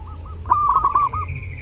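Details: Zebra dove in full song at Lebaran, recorded as a tutor song for other birds: one quick phrase of soft, rolling coos run into a slightly louder trilled burst, over a low hum.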